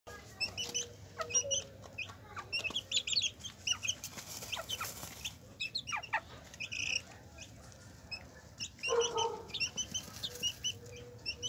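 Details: Hen with her chicks: many thin, high peeps from the chicks scattered throughout, a few lower clucks from the hen, and a steady background hum.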